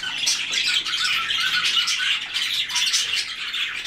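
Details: A flock of white-faced cockatiels produces an unbroken, noisy wash of chirps and scratchy squawks, evenly loud throughout, with no clear gaps between calls.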